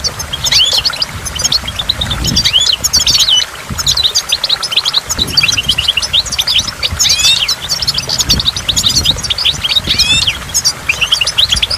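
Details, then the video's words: Goldfinch song by a waterfall, a rapid, continuous twitter of high chirps with short upward-sweeping notes, bright and busy throughout, against the low churning roar of water and drops. "in the waterfall stimulates goldfinch and water drops"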